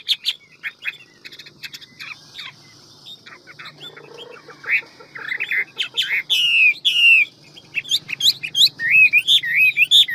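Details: Hwamei in the many-voiced, fast ngũ trường forest-voice song style. Soft scattered notes build into loud, rapid bursts of slurred whistles, curling up and down, with a faint steady hum behind.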